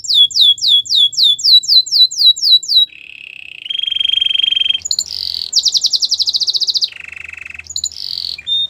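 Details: Canary singing for training and to attract other canaries. Quick descending whistles repeat in a series, then a lower steady rolling tone, a high rapid rattling roll, and another low churring roll with brief swept notes.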